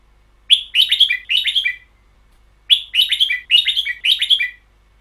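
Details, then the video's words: Red-whiskered bulbul kept in a cage singing the long doubled song style: two runs of quick, bright warbled notes with falling ends, each phrase lasting over a second, with a quiet pause between. "CD เสียงนกกรง ชุด เบิ้ลยาว"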